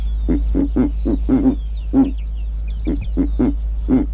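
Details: Giant eagle-owl in Kruger National Park giving low, gruff grunting notes, singly and in doubled pulses, spaced irregularly about every third of a second. Faint high twittering from other birds is heard in the background.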